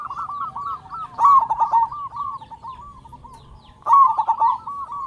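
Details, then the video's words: Zebra dove of a local strain, used to provoke other zebra doves to call: two loud bursts of rapid, bubbling coos about two and a half seconds apart over continuous quieter rolling cooing. "Perkutut Lokal Gacor Suara Besar Pancingan Burung Perkutut Agar Cepat Bunyi"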